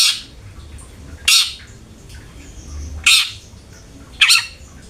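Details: Long-tailed shrike (cendet) lure meant to get a kept shrike singing: four loud, grating, scratchy notes spaced one to two seconds apart over steady low hum.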